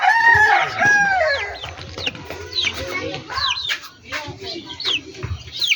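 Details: Rooster's harmonic crow in a backyard poultry yard opens the recording, then high, quick down-slurred chick-like peeps repeat about three times a second.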